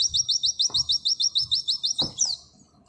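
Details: Oriental white-eye nembak trill: loud, crisp, rapid high notes repeated about five times per second, ending in one descending slur, with two soft clicks underneath.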